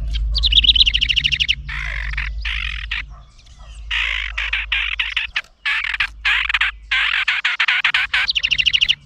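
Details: House wren, upset by a GoPro set near its nest, gives a long run of harsh buzzy scolding bursts, some broken into fast chattering pulses, opening and closing with quick high trills; loud and close to the camera.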